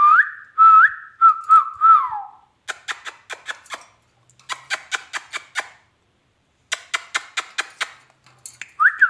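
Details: Talking rose-ringed parakeet, a pet ringneck, gives clear whistled phrases, rising then level and falling, followed by bursts of sharp rapid clicking notes repeated in quick series.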